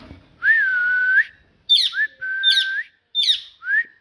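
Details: Parrot talking: one long, steady whistled note with a slight dip, followed by three squeaky chirps, each running into a smooth whistle, in a quiet room.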